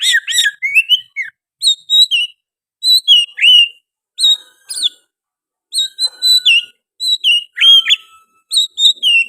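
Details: Oriental magpie-robin in continuous, energetic song filled with sooty-headed bulbul phrases. Clear whistled phrases of three to five notes, some slurred downward, repeat with short gaps throughout.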